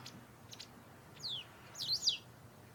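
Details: In an autumn garden where territorial fights between them are intensifying, white wagtails give a few soft ticks, then a single downslurred chirp, then a loud doubled, wavering high call.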